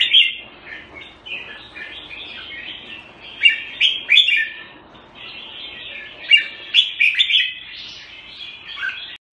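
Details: Jambul, the red-whiskered bulbul, on special bird food, sings an unbroken chatter of mid-high warbled notes with loud sharp peaks near seconds three, four and seven, then a brief pause at the end.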